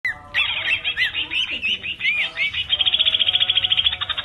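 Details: Male greater green leafbird singing continuously in full 'ngerol' style, used as a master recording for training birds: varied whistled and slurred notes, then a fast, even, high trill repeated about three times a second to the end.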